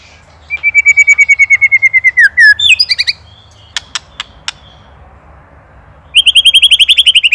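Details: White-rumped shama (murai batu) from Indonesia singing in the rattling ketrekan style, recorded as master material for training songbirds: a fast run of about twenty identical high whistled notes, a slurred drop, sharp clicks, then a dense buzzy trill.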